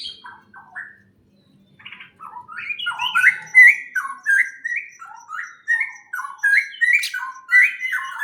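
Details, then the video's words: Birds in a greenhouse chirping in quick, jerky runs of short rising and falling notes, each note a bright squeaky slur, packed closely together and growing busier after a brief quiet start. "Greenhouse and the chirping sound of birds"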